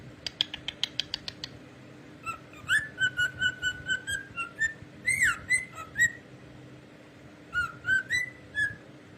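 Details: Pet cockatiel singing indoors: opens with a fast series of clicks, then a string of clear whistled notes held steady, a rising-falling whistle in the middle and a final short whistled phrase, with soft chirps between.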